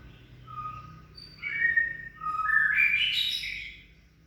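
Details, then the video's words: White-rumped shama male meeting a female he will not tolerate: loud, varied whistled phrases, a low steady note leading into rising and sliding notes that climb and grow richer toward the end. "Chòe lửa mái tới nái"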